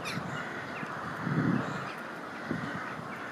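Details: Chilean flamingos displaying in sync; one low, rough grunt at mid-clip with a fainter grunt near the end, set against constant murmuring background noise.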